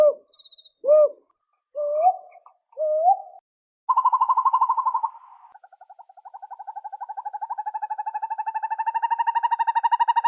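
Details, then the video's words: An owl gives four short hooting notes, each bending upward, then a long rapid trill that holds a steady mid pitch for about six seconds. "Owls sound effects.Different Types of Owls and Their Sounds."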